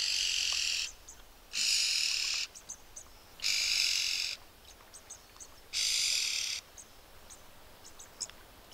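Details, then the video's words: A red-billed oxpecker gives harsh, hissing rasps, each close to a second long, repeated about every two seconds, with faint thin ticks in between. "Red-billed Oxpecker (Buphagus erythrorynchus) Bird Call"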